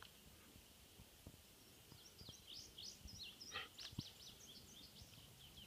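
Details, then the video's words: Indigo bunting song recorded on 5/9/15 at Harriman: a faint run of high, quick paired chirps in the middle of the clip, partly masked by broad hiss and low rumble. "Indigo bunting"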